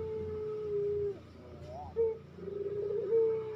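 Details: Puter dove cooing, used to train captive birds: a long level coo, a short wavering rising note, then another long steady coo.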